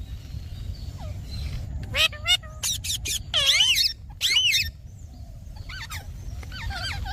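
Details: Green talking parrot producing rough, raspy calls with swooping up-and-down inflections in irregular bursts, then quieter strained notes near the end against steady low background noise.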